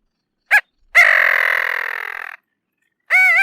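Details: Bridled tern giving a short nasal yelp, then a long, harsh, grating buzz lasting over a second, and finally a wavering nasal call. The calls are clean and separated by silence.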